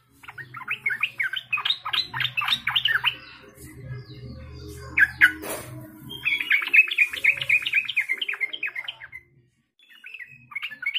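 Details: Yellow-vented Bulbul giving two bursts of bright, bubbly chattering notes, each lasting a few seconds, with a low hum and a brief clatter between, used as a lure to warm up other birds.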